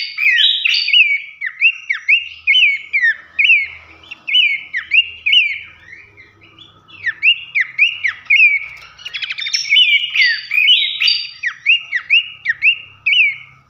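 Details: Horsfield's babbler lure recording, meant to set other babblers singing, gives a lively run of sharp, down-slurred whistled notes, repeated quickly and steadily.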